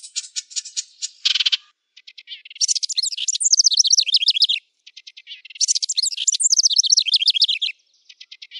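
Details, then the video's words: Wren song used as a training recording for caged thrushes, canaries and bush larks: two long, high, rapid phrases of tumbling whistled trills and sweeping notes, each about two seconds, with dry ticking notes between them. "Suara Masteran Burung Wren"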